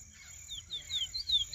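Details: Lesser seed-finch moulting to black for the first time: a series of sliding whistled notes, each falling in pitch and growing louder, against a constant high-pitched drone.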